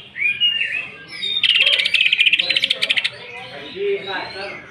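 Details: Greater green leafbird singing in the 'nembak' shooting style, unloading rough 'isian' fill phrases, used as a lure to stir other birds to sing: slurred whistles, then a loud, fast stuttering rattle-burst for over a second, then softer whistled notes.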